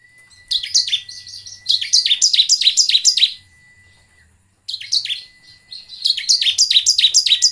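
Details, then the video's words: Bar-winged prinia singing as a lure for other birds: long, regular runs of rapid, sharp downslurred chirps, around three per second, split by one pause, over a thin steady background tone. "PANCINGAN CIBLEK agar gacor dan nembak."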